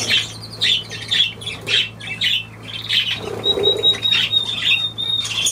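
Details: Budgerigar, 23 June 2023: raspy chirping calls repeated about twice a second, each a short scratchy burst, with a thin whistled tone near the end over a low steady hum.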